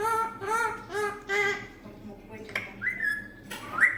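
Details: A green parrot speaking Bengali phrases, including "Allah" and words announcing that guests have come. Nasal syllables rich in harmonics are followed by a rising whistle and a sharp, high squeak at the end, indoors.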